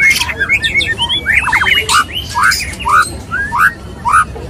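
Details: Male white-rumped shama courting a female, a mating call. Short whistled notes swoop up and down, roughly two per second, broken by harsh buzzy bursts that sweep high.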